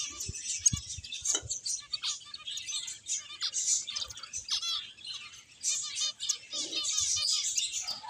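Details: Finches at play, a busy flock giving dense, high-pitched chirps and twitters that overlap continuously, with short clicks and a few lower taps underneath.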